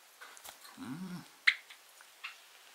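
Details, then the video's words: Pet Java sparrow that can't stop sneezing gives two tiny, sharp sneezes about a second apart, after a short low human murmur; owner wonders if its throat is blocked. "くしゃみが止まらない Java sparrow"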